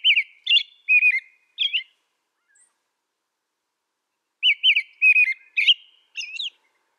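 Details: Two bouts of American robin song, each a quick run of rich, rising-and-falling whistled syllables, with a silent gap of about two and a half seconds between them.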